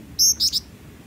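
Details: Black-winged flycatcher-shrike singing actively, used as a model for training songbirds: one long, high, piercing whistle followed by two shorter thin notes, with soft background hum.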